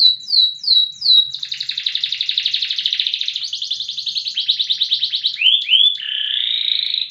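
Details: Long-singing loper canary with a loud song opens with four sweeping slurred whistles, then rolls into a long, dense buzzy trill, closing with two upward-curving notes and a steady buzzy tone.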